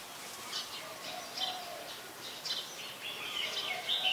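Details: Brown-throated sunbird (Anthreptes malacensis) in Ubon Ratchathani, Thailand, on 2 January 2021, giving thin, high chirps and short twittering notes in loose succession, with a soft steady background hiss.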